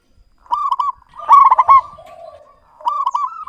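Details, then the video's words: A local zebra dove delivers rolling coos: a short trilled phrase, a louder stuttering burst, a drawn-out quieter purr, then the phrase begins again. "Perkutut lokal GACOR suara jernih BAGUS MEMIKAT"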